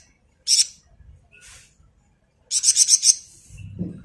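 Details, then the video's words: Malaysian pied fantail singing vigorously in ngebren style, used for training other songbirds: two high pulsed bursts, the second a rapid string of about six sharp notes, with faint low rumble afterward. "Burung Flamboyan Gacor Ngebren mantap buat Masteran"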